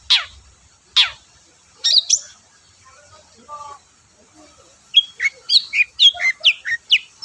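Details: Long-tailed shrike in full song, played to coax shy shrikes into singing: two harsh rasps, a short pause with soft notes, then a fast run of varied high whistled and chirping phrases.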